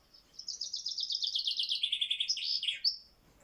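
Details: Common Chaffinch, a male, singing: a bright descending series of rapid repeated notes that speeds into a trill and ends in a short flourish, lasting about two and a half seconds against a quiet background.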